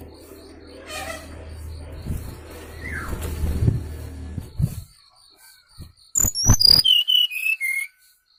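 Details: Sooty-headed bulbul lure sound for trapping birds: after rumbling background and a few knocks, a fast series of piercing whistled notes runs down the scale, then stops abruptly.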